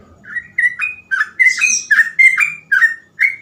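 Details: Sooty-headed bulbul in full gacor ropel song used as a tutor: steady run of loud, clear whistled notes, some rising, several with harsh buzzy overtones, about three per second.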